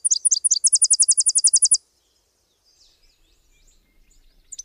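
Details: Subalpine warbler (Sylvia cantillans) song: a few sharp high introductory notes, then a fast, even trill of about a dozen high notes lasting over a second, followed by near silence with faint distant twitters.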